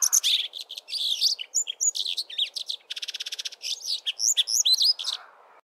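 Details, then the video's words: A male Brimstone Canary sings from a treetop in early spring: a fast, rich warbling song of varied high whistles and twitters, with a brief buzzy trill in the middle. "Brimstone Canary singing a melodious song"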